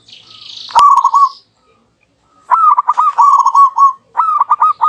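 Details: Zebra doves in a back-and-forth duet, used as a lure: a short rolling coo after a sharp click, a pause, then longer tumbling trilled coos answering twice, with faint high twittering from other birds.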